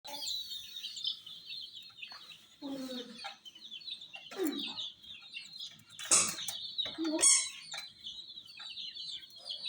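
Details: Chickens: many chicks attacking a miniature toy jeep peep nonstop in high, thin, overlapping chirps, with a few lower, harsher hen clucks and scuffling noises.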